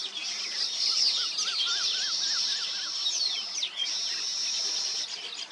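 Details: Nesting weaver birds producing steady high buzzing trills and quick chirps, with a lower wavering whistled phrase repeated several times early on.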